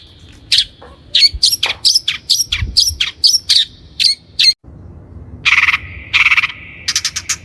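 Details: Long-tailed shrike, lure recording for training birds: a rapid series of short, harsh, buzzy notes, then a pause and louder broad rasping bursts with a steady thin tone underneath; a low hum in the background.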